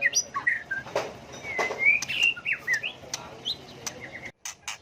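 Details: Varied white-rumped shama song, used to provoke song contests, with scattered whistles, slurred notes and sharp chirps, fairly sparse, over a noisy background that cuts off briefly near the end.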